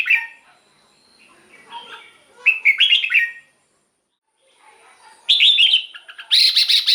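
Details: Red-whiskered bulbul song for use with a decoy or to excite caged birds: scattered whistled notes, a cluster of warbled phrases, a second of silence, then two loud harsh chattering bursts.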